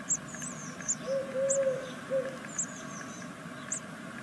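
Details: Sixth-day great tit chicks of a second brood beg from a nest in Veszprém, Hungary, with scattered thin, very high chirps. Brief low, smooth tones are heard in the middle.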